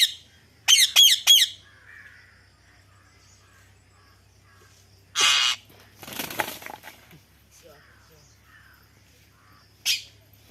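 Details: Ringneck parrot giving three quick harsh screeching calls in a row, followed after a pause by a loud raspy squawk, some rustling noise, and one more short screech at the end; faint low hum throughout.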